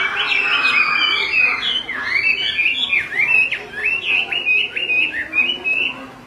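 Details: Repeated calls of a female Chinese hwamei, with a male unsettled nearby, meant to excite males into song: about a dozen sharp down-up slurred whistles in steady succession, each about half a second apart, fading at the end.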